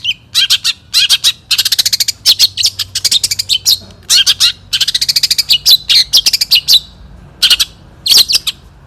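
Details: Champion Long-tailed shrike in the 'satu titik' singing style, 2016: dense bursts of harsh, rapid chattering notes in quick succession, with brief pauses between rattling phrases.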